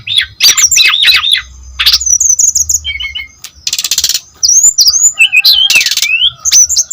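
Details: Lively brown-chested jungle flycatcher song used as a lure recording: clusters of sharp high chips and whistled slurs broken by loud rasping buzzy bursts, then twisting upward whistles; no other sounds intrude.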